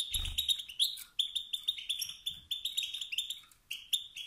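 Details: Male European goldfinch stirring rivals with motivating calls: steady bright twittering notes repeated rapidly, somewhat muffled, with a low thud at the start.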